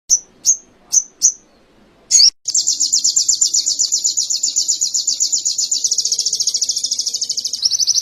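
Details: Canary song from a sogon-style training recording: four quick high chirps and a slurred call, followed by a long fast high trill of steady repeated notes that dips near the end.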